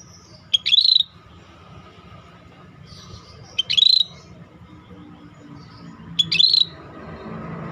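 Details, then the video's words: Scaly-breasted bulbul singing actively. It gives short, sharp, high rising-and-falling whistled phrases about every three seconds, with a faint low hum in the background. "Suara Burung Cucak Bersisik Gacor"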